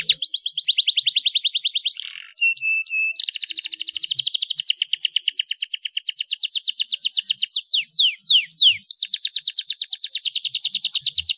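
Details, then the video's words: Starblue canary, a champion bird, in full song: long fast rolling trills of rapidly repeated notes, broken by brief steady tones and a few sharp downward sweeps before the trill resumes. "kenari Starblue gacor dor"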